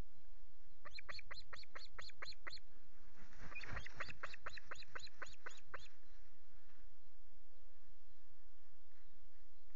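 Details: Osprey at a nest with chicks at Loch Garten, Scotland, on 5 July, as a bird arrives with two fish; two bursts of sharp, evenly repeated yelping notes, about six to eight each, over a low hum.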